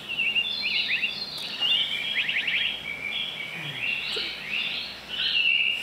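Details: A Black Paradise Flycatcher, an endangered summer breeder on Jeju Island, Korea, gives high, thin notes broken by quick runs of downslurred chirps over a faint outdoor hiss; numbers fall yearly because of wintering-ground problems.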